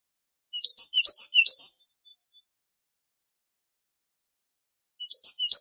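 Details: Metallic-sounding great tit song: a rapid run of high paired notes lasting just over a second, a long pause, then the phrase starting again.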